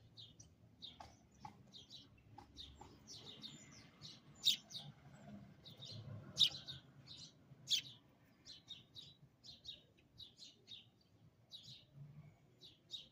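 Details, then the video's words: A sparrow close up outside a window gives bright, high chirps in short irregular bursts, roughly every second or two, over a low steady background rumble. "Bird Singing outside window upclose"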